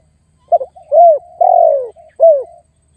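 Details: Spotted dove calling to lure and challenge a rival, used as a luring call: a short stuttered note, then drawn-out cooing phrases around one pitch, the longest slurred downward, ending on a shorter falling coo. No other sounds.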